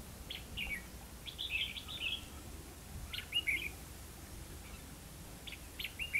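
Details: Red-whiskered bulbul singing at a trapping site in Hòa Mạc, Hà Nam, Vietnam: lively warbled phrases of quick, slurred whistled notes, repeated in several bursts with brief gaps, against faint low rumble.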